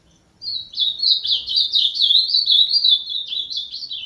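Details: Ultramarine grosbeak performing its 'azulão máquina' song: a fast, unbroken warble of sweet, twisting notes for over three seconds, closing with a pair of quick rising-falling flourishes; quiet surroundings.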